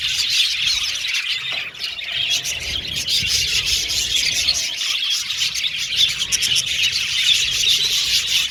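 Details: Caged budgerigar colony chirping and singing in an aviary, producing a thick stream of high twittering chirps and warbles, with a few louder squeaks and soft knocks from the cage.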